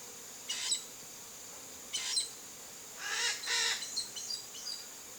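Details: Chestnut-eared aracari snooping around a rural backyard in Brazil's Cerrado gives harsh, hissy squeaks in four bursts over five seconds, the last two close together, over a steady high insect whine.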